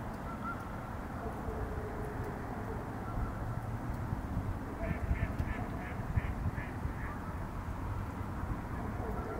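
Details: Bald eagle after sunset giving a brief run of about seven quick, squeaky piping notes, evenly paced, over a steady low rumble of wind or distant traffic.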